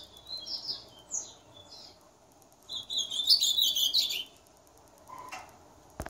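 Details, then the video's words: A singing ultramarine grosbeak gives clear, sweet whistled phrases that slur downward, then a rich, jumbled warbling burst; a faint click follows. "Azulão top cantando muito"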